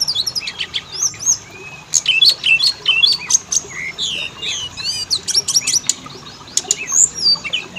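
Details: Varied Oriental magpie-robin song played as a lure to start males and females singing: sharp high chips, squeaky rising whistles and scratchy chatter in irregular bursts.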